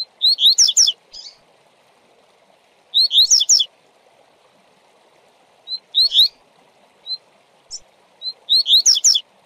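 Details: A double-collared seedeater sings a fast 'tui tui' song used for training tournament birds: quick, bright chirping phrases about a second long, repeated roughly every three seconds, over a steady low hum.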